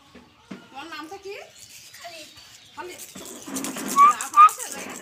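A caged common myna mimics human speech in voice-like phrases, ending with two sharp whistles.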